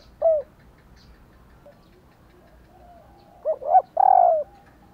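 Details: Spotted dove female, whose calling is meant to set males cooing. One short hoot, a pause, then three quick notes running into a long descending coo. Otherwise quiet.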